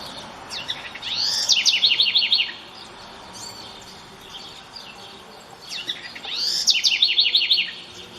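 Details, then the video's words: Wild house wren singing freely outdoors at dawn on a rainy day: two bursts, each a rising introductory sweep followed by a rapid bubbling run of high notes, about four seconds apart, over faint background hiss. "Pássaro Curruíra Cantando Livre na Natureza Dia Chuvoso ao Amanhecer"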